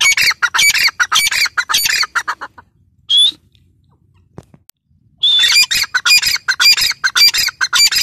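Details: A female grey francolin gives loud, harsh, rapidly repeated high calls in two bursts, broken by a near-silent gap with a single clear whistled note.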